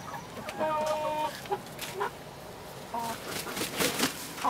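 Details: Chickens recorded 07-06-2016: two bursts of drawn-out, harmonic calls, one near the start lasting under a second and a shorter one around three seconds, separated by brief clucks, with faint voices and handling noise in the background.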